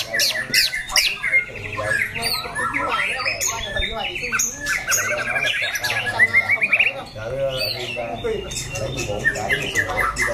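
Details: Competition-standard White-rumped shama in a cage, noted for a loud harsh voice, phrase changes and endurance, with wing flicking and tail flicking. It gives a rich tumble of rapid trills, buzzy rattles and sharp whistled notes, with other singing in the background.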